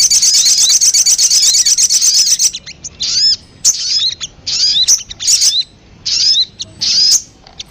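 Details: Crimson sunbird lure sound: an opening rapid, buzzy high trill of about two and a half seconds, then separate sharp, falling chip notes spaced a little under a second apart.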